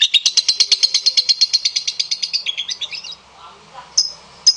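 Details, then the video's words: Lovebird song used as a lure for other lovebirds: fast, even run of high buzzy notes lasting about three seconds, fading out, followed by quiet and two lone sharp chirps. "SUARA PANCINGAN LOVEBIRD DURASI GACOR PANJANG"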